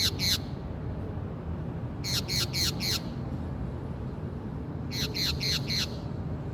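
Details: Harsh calls of a Brazilian green parakeet: a pair of screeches, then two evenly spaced bursts of four raspy, falling squawks about three seconds apart, over faint low rumble.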